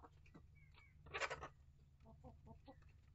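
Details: Hens and young chickens sharing a coop and run; a sudden harsh, raspy squawk breaks out, then a run of soft, evenly spaced clucks follows, with a steady low mechanical hum underneath.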